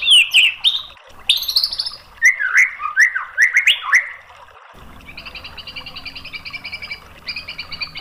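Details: White-rumped shama song used for training and luring: loud slurred whistles and swooping notes, then softer rapid high trills repeated in two long runs over a low hum.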